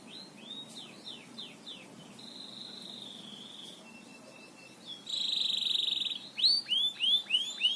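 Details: Canary in 'gacor ngebor' song, recorded as master material for training birds: high slurred notes, a sustained whistled tone, soft clicks, a loud piercing buzzy trill, then loud repeated rising and falling looping whistles.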